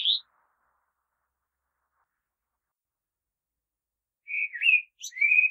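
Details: Brief high whistled note, a long silence, then a short run of fluty common blackbird warbles and a squeaky high note.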